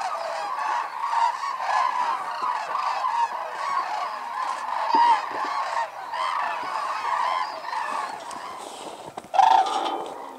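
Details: Wintering Hooded and White-naped Cranes at Arasaki, Kyushu, Japan, in a snowy landscape; a continuous flock hubbub with scattered clear bugling notes and one sudden loud trumpet near the end.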